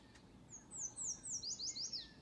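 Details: Morning birdsong: a series of high, thin whistled notes, each sliding downward, first spaced evenly then quickening into a tighter run, over faint low background rumble.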